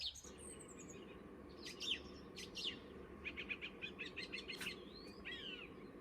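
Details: Male song thrush that began singing in January, heard at dawn in February: varied sharp notes, then a run of short, repeated staccato notes, followed by whistled slurs, fairly distant over a steady low hum and background noise.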